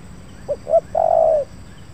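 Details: Captive spotted dove lure bird, caught 20 August 2023 and kept about five months, set on the ground for the first time near an oil palm plantation, responding to wild doves with a soft mellow coo: two short low notes, then a longer sagging note.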